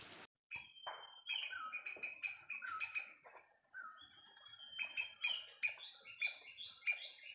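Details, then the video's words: White-browed fantail (Rhipidura aureola), locally called bema sudu pawan penda, giving a lively run of clear whistled notes, some rising and some slurring downward in stepped phrases, repeated across several seconds over a steady high hiss. "white Browed fantail/Rhipidura aureola/bema sudu Pawan penda"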